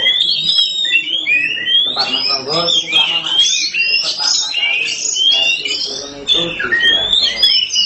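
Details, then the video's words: Black-form Oriental magpie-robin (kacer hitam) singing boldly in gacor style: rich, fast whistled phrases, rising and falling slurs and chattering notes run without pause, with a man speaking steadily underneath. "Kacer hitam gak pernah malu untuk gacor nie"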